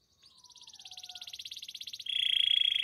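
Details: Canary singing a rapid pulsed trill that swells steadily in loudness, with a faint falling whistle beneath, then switching abruptly to a louder, lower, buzzier trill at the end.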